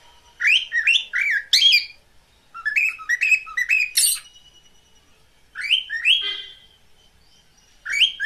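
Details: Loud mating call from a pet cockatiel: clusters of three or four harsh, rising chirps in quick succession, separated by short pauses, with one longer drawn-out screech.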